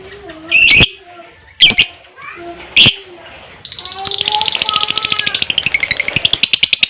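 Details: Lovebird in fighter style, singing to prompt other lovebirds: several sharp, loud chirps, then from about the fourth second a long, rapid, buzzy rattling trill that runs to the end.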